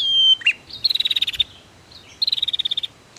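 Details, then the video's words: Male and female prinia duet meant to provoke silent birds into singing: a clear whistle dropping into a harsh note, then two rapid rattling trills of evenly spaced buzzy pulses, each lasting about half a second. "SUARA Prenjak betina VS Prenjak Jantan"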